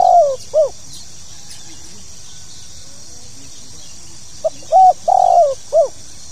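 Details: Tekukur, the spotted dove, giving a pokal tanggung calling phrase used to get new birds cooing: the tail of one phrase, a pause, then a full phrase of a soft lead note and falling, rounded coos over constant high-pitched hiss.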